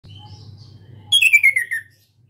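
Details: Young caged orange-headed thrush learning to sing openly, still shy but calling often; after faint soft chirps over a low indoor hum comes one loud, rapid warbled phrase lasting under a second, sliding steadily downward in pitch.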